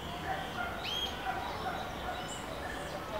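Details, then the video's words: Pale-breasted thrush (Turdus leucomelas) in Brasilia, Brazil, singing scattered clear whistled notes, one bright rising slur standing out, over a steady rushing background noise. "Sabiá-do-barranco - Pale-breasted Thrush - Turdus leucomelas - cantando - singing"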